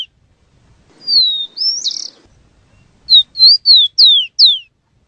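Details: Rufous-collared sparrow giving a series of clear, high whistled notes: a long slurred note, then a burst of five quick descending slurs, separated by short silences.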